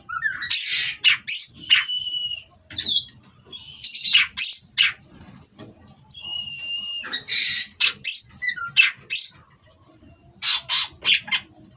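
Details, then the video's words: Oriental magpie-robin from a breeding farm, played as therapy for perch stability: sharp high whistles and harsh chattering bursts delivered in clustered phrases, with faint low background hum. "Terapi Burung Kacer Agar Stabil di Pedok. Bikin L4w4n Mbagong"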